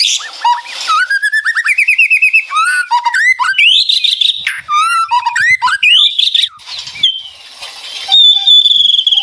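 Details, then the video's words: White-rumped shama in full ngeretek song, birds answering each other: rapid rising whistles repeated about three times a second, then varied looping phrases ending in a long, thin, steady whistle. "Suara Murai Batu Ngeretek"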